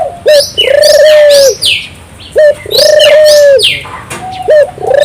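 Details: A turtle dove sings energetically to provoke local doves: paired phrases of a quick short coo then a long, even, purring coo about every two seconds, with sharp high chirps of other birds overhead.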